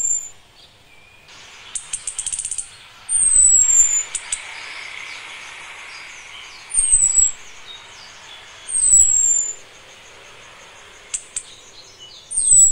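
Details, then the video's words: Orange-headed thrush hen, ready to breed, calling for a male with thin, high-pitched descending whistles given every few seconds. Bursts of rustling noise and clicks occur between the whistles. "ANIS KEMBANG BETINA MEMANGGIL JANTAN"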